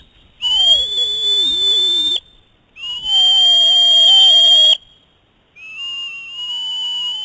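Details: Male and young female eagle whine during a food fight on the nest after he arrives with prey and eats it himself; three long, steady, piercing whistled whines, each about two seconds, separated by short pauses.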